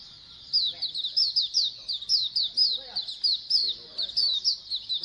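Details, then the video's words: Group of Oriental white-eyes in busy chorus, intended to coax birds to sing diligently; sharp high chirps with quick downward slurs repeat several times a second over a faint low murmur. "Pleci Koloni agar BUKPAR AGAR RAJIN BUNYI"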